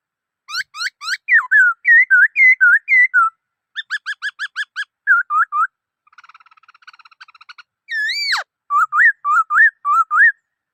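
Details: Black-throated laughingthrush in full song: rapid repeated upswept notes, wavy whistles, a soft trill, and a loud swooping whistle, delivered densely over ten seconds.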